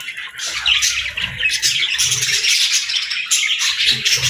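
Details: Morning chirping from domestic parakeets and lovebirds, a cheerful crowd of high twitters and harsh squawks over soft low rumbling knocks.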